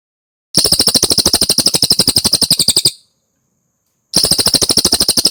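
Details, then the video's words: Cililin song used as a training recording for competition birds: fast, strongly repeated shrill ticking notes, about ten per second, in two bursts separated by a silent pause. "MASTERAN CILILIN YANG DI CARI KICAU MANIA"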